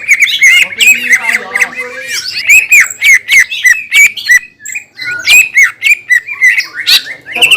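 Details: A green leafbird in full vigorous song, a lure that angers other green leafbirds: mixed whistles, clicks and warbles in fast irregular bursts, a brief gap near five seconds, then sharp notes again.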